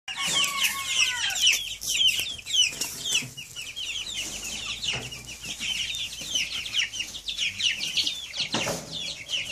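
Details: Two-week-old Cornish Cross chicks, hungry in the morning and rushing toward their keeper: a dense chorus of shrill rapid peeps from many chicks, with a few lower descending calls early on and scratchy rustling throughout.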